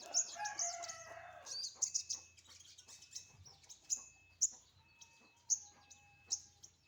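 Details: Sunbird set out in the morning sun. A short lower, buzzy, harmonic phrase opens, then a series of sharp, very high piercing notes repeats roughly every half to one second, with a faint steady tone behind.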